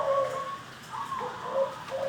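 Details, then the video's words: Wild-caught local zebra dove, singing continuously in the ngorok, ndelosor, koar-koar style: soft tonal coos, a low note then a higher held note, in short rolling phrases, with a radio-like voice speaking before and after. "PERKUTUT LOKAL ASLI DARI ALAM LIAR SAMPAI NGACOR NDELOSOR NGOROK KOAR KOAR"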